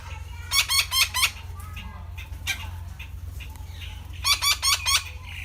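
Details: A Red-breasted parakeet (Psittacula alexandri), recorded in Thailand, gives two quick bursts of three or four harsh, grating squawks, a few seconds apart, over a steady low hum.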